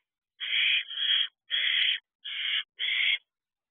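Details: Owlets, four siblings at a nest box at night, 1:18 am on 25 June 2023, while allopreening each other as a display of affection: five harsh, rasping hiss-like bursts, each about half a second long, with short gaps and no other sounds.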